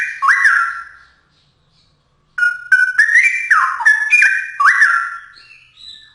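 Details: Straw-headed bulbul song used for training songbirds: one rich whistled phrase, a silent gap of over a second, then a longer rapid run of liquid, warbling notes jumping up and down in pitch.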